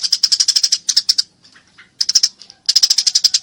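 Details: Eurasian tree sparrows fighting, producing fast strings of bright, high chirps in four bursts, with faint softer notes in the gaps.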